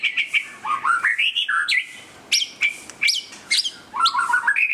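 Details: White-rumped shama song during display: stepped rising whistles, sharp upward-flicked notes spaced at short intervals, and a closing series of liquid warbled phrases.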